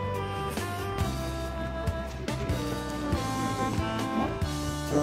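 Only background music is heard, a jazzy band with drums, bass and guitar, with no animal voice.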